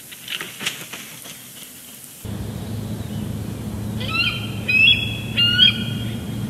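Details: Bald eagle at its nest at Big Bear Lake, recorded by a live nest camera on the morning of a quick solo visit, June 2022. Three short bursts of high, squeaky chittering notes sound over a steady low hum and wind noise.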